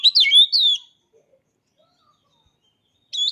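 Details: Oriental magpie-robin producing a quick run of bright whistled notes under a second long, a silence of about two seconds, then the start of another high whistled phrase.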